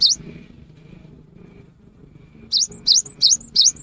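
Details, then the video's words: Cinereous tit lure song for the rainy season: one note, a pause with low background murmur, then four brisk repeated dip-and-rise whistles each capped by a faint higher note. "GELATIK BATU GACOR | PANCINGAN AMPUH SAAT MUSIM HUJAN"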